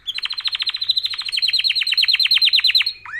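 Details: Canary song used for training canaries: a fast series of high, sharply falling whistled notes, about thirty in quick succession, ending in a single rising slur.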